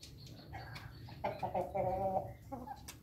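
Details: Pelung chicken at morning feeding: a short harmonic crow, broken into a few pulses and then drawn out for about a second, over background clatter and faint chirping.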